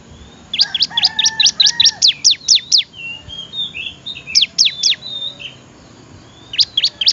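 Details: Training song of a bar-winged prinia for other birds: a quick string of high, downward-slurred notes, then quieter twittering, a short second burst and a final fast trio, with faint lower whistles in the background.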